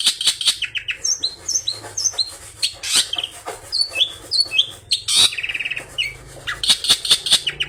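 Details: Long-tailed shrike with rich mimicked song material, played as a lure to get other shrikes singing: sharp chips, clear downslurred whistles, a quick rattling trill, and dense scratchy chatter over a faint low rumble.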